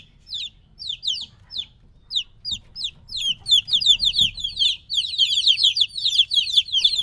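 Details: Young chickens roughly three weeks old, removed from their mother, start with a few spaced high peeps that build into a dense, overlapping chorus of falling chirps.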